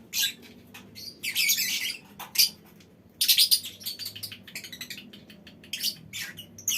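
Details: A lovebird colony in a small aviary gives shrill, buzzy chattering bursts, with one long grating trill near the start and another after a pause, mixed with sharp single chirps.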